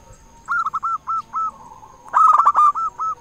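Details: Loud local zebra dove song meant to set other zebra doves singing: a run of short hooked coos, a soft hum, then a louder rough roll followed by four spaced clipped notes.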